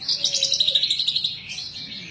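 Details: Caged bush lark kept by a keeper in Indonesia, singing vigorously: a dense run of high chirps and trills repeated in quick pulses, then softer warbling phrases, with a faint low hum beneath.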